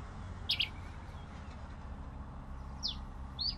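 Pileated finch giving three short, high chirps spaced one to two seconds apart, over a steady low rumble.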